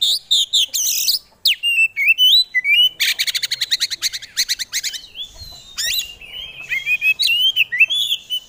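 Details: Caged oriental magpie-robin (kacer) in full varied song: sharp high chips, a fast rattling burst of repeated notes mid-phrase, then looping whistled slurs and chattery fragments, busy and energetic throughout.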